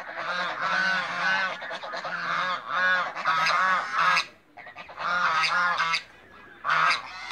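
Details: Backyard flock of African geese, adult and young birds together on a farm in Greece, honking in long loud bursts of overlapping nasal calls broken by two short quiet gaps.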